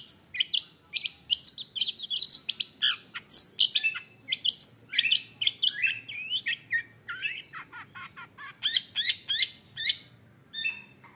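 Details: Recently acquired long-tailed shrike in a cage, singing with varied isian phrases: a rapid scratchy chatter with whistled slurs, a brief lower descending passage, then a run of sharp, evenly spaced high chips.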